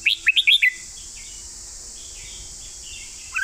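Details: Red-whiskered bulbul kept as a cage bird, singing a master-song style phrase: a quick burst of five bright, clear whistled notes jumping up and down, then quiet with a steady high hiss and a final rising whistle.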